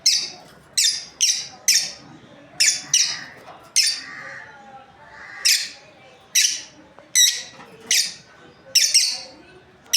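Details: Breeding pair of lovebirds chirping indoors: shrill, scratchy chirps in irregular clusters of two or three, with short pauses and faint lower chatter underneath.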